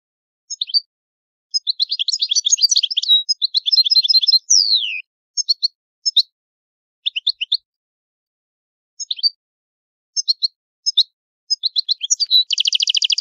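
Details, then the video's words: European goldfinch, Italian 'old song' style, singing: rapid twittering phrases of high chirps separated by short pauses, a descending slurred note midway and a dense buzzy trill at the end; no other sounds. "Il canto del cardellino italiano ,il vecchia canto"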